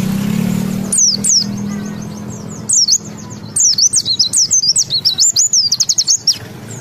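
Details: Caged white-eye (Zosterops) in Indonesia, a songbird kept for mimicking other birds, singing with open beak: sharp high down-slurred whistles, then a fast chattering run of slurred notes; faint low hum early on.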